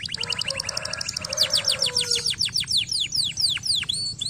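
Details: Canary song played to stimulate lazy canaries into singing: a fast trill opening into a series of loud, steeply falling whistled notes repeated about every quarter second.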